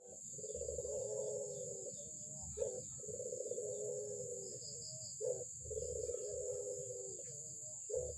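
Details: Albino Barbary dove calling actively: three low, drawn-out purring coos, each opened by a short sharp accent and lasting about one and a half seconds, repeated roughly every two and a half seconds over a steady high-pitched hiss.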